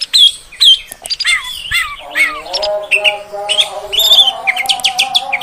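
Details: Oriental magpie-robin female sound used to anger males: sharp whistles and falling slurred notes, then a steady stream of short chirps and whistles over a low continuous hum.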